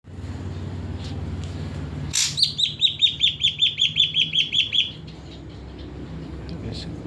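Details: Caged ashy drongo, kept under a morning and evening care routine of bathing and then airing under a cover, gives a run of about eleven clear, slightly falling whistled notes in quick, even succession after a low background hum.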